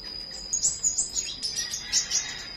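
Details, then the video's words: Flowerpecker singing in the morning: a rapid run of thin, very high chirps and twitters at an uneven rhythm, over a steady high-pitched whine in the background. "Buổi Sáng Google Maps Hệ Thống Nghệ Thuật Đam Mê Chim Sâu Hót"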